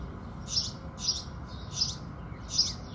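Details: Four evenly paced, sharp chirps from house sparrows in the early morning, each note bright and brief, about three-quarters of a second apart, over low steady background noise.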